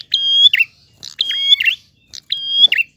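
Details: Three clear phrases from a prinia in gacor ngalun style, spaced about a second apart. Each has a crisp opening tick, a level ringing whistle and a slurred buzzy ending.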